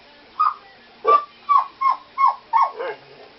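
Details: Female pet parrot barking like a small toy-type dog: a rapid series of seven short yapping barks, roughly three per second after the first, each a brief falling yelp.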